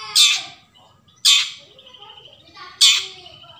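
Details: Long-tailed shrike (cendet), a forest recording meant to coax silent shrikes into song: three loud harsh rasping bursts about 1.3 seconds apart, with thin whistled notes trailing between them.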